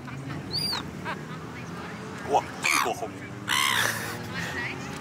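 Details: Silver gulls chasing food give harsh, squawking calls in short bursts, with a brief high squeal early on. A faint murmur of voices or low background noise runs underneath.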